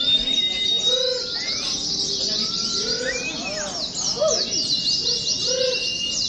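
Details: A crowd of Oriental white-eyes in a training recording that mimics a contest, pouring out high twittering song nonstop, with occasional lower rising whistles and short looping notes mixed in.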